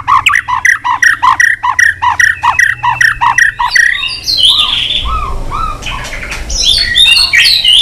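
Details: White-rumped shama singing in a contest with many voices. Opens with a steady run of repeated harsh, buzzy notes, about two or three each second, then breaks into varied chirps and whistles with a low background hum.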